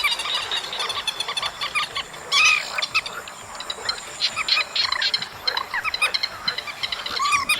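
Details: Chestnut munias recorded in August keep up a continuous jumble of quick high chips, punctuated by a loud sustained note midway and a single arched ringing call near the end, with a thin background hum.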